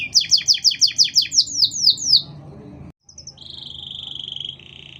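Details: Lively canary song, used to train or provoke other canaries: a run of about ten rapid descending whistled notes, then after a short pause a sustained high trilled roll.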